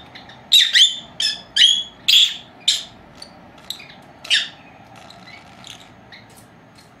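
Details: Napping pet lovebirds, two females aged four months; a series of sharp, whistled chirps over about two seconds, then sparse softer notes fading out.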